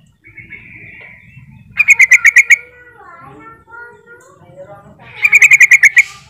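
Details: Sooty-headed bulbul luring rival bulbuls to call: a thin drawn whistle, then a fast string of bubbly chirps, a stretch of lower wavering bird sounds, and another rapid chirping series over a soft background hum.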